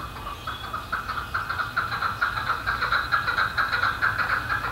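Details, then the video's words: Chukar Partridge cackling in a suburban Colorado neighborhood where a flock perches on fences and rooftops; a long, steady series of rapid, raspy chuck notes, building in strength and continuing evenly over low traffic rumble. "Chukar Call"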